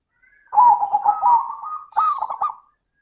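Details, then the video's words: Lure recording of a zebra dove singing in the clear 'crystal' style: one long rolling, trilled coo phrase with a stepped rise, followed by a shorter bubbling burst. "Pancingan suara burung perkutut - suara kristal"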